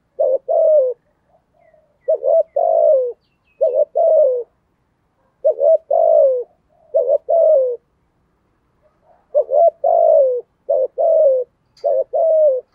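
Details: Spotted dove with a voice described as the thổ style, giving thúc gù cooing: low, hollow two-part coos, a short stuttered note then a longer falling one, repeated in irregular bursts with brief silent gaps.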